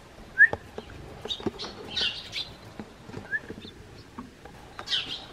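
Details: Eurasian tree sparrows greeting a man from a garden bench, with sharp high chirps and short twitters mixed with pattering taps and clicks close by.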